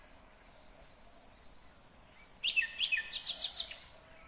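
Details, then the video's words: Song of a nightingale in Kyrgyzstan, 2020. After quiet background, a sudden phrase of sharp notes bursts into a rapid, high, clicking rattle of about eight pulses. "Незабываемое Пение соловья / Chill out Nightingale Singing / Булбул уну / Булбул овози"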